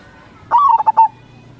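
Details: One low, mellow coo phrase from an actively singing local zebra dove, starting with a rising note and ending in three quick separate pulses, all within about half a second, with a faint steady hum.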